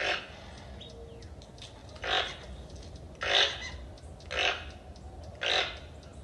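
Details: Toucan giving harsh, broadband croaks, five loud bursts spaced about one second apart, over a steady background hiss.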